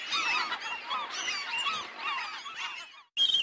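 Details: A dense chorus of gulls, many harsh, wavering cries overlapping without pause into a continuous squabbling din, then a brief gap and one sharp high cry.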